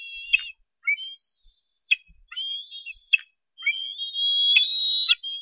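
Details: Eaglet of a bald eagle pair at Harrison Bay nest, 07-10-2015, begging while a parent brings fish: high, thin, drawn-out whistled squees with short chirped lead-ins, in uneven bursts, plus faint low knocks.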